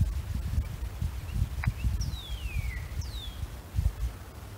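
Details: A male Northern Cardinal among spring bluebells at Uplands Reserve, Hunterdon County, calls to establish territory against other males and attract a female: two clear, long downslurred whistles about a second apart, high to mid pitch, over heavy wind rumble.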